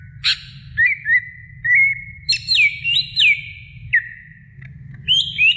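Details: Greater green leafbird song used as a training recording for other songbirds: clear whistled phrases near the middle register, sliding and looping notes, some rising and falling sweeps, delivered in short bursts with brief pauses.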